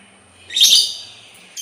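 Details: Sultan tit, shown for its agility, grace and distinctive voice: one bright, dense burst of high chirping notes lasting under half a second, followed by a short faint note.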